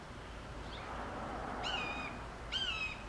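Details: A recently released juvenile red-shouldered hawk in June 2014 calls to its foster sibling about 100 yards away: two high, harsh, slightly falling screams about a second apart after a faint earlier note, over steady hiss.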